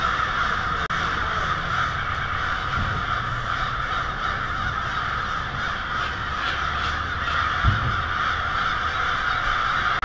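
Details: Massive flock of American crows, hundreds to thousands, descending to roost on Mary Avenue in Lansing, Michigan, on the evening of February 1, 2016; rapid overlapping caws, several each second, with occasional low thumps.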